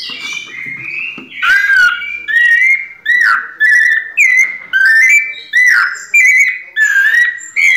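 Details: Pianado song of a white-necked thrush, a steady run of about ten short, clear whistled phrases, each slightly rising or falling, delivered roughly every seven tenths of a second with brief gaps between.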